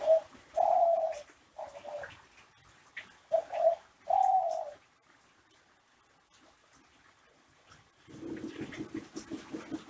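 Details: Ringneck dove from an Indonesian breeder giving classic Kelantan cooing, meant to train other doves: short and long coos alternate for four seconds, followed by silence and then a low, buzzy rattling background sound.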